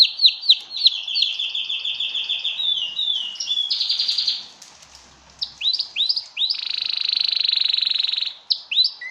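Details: Canary mating song with varied tours: fast dropping whistles, a level buzzy trill, a pause, then sharp upward chirps and a long sustained rattling trill before closing notes.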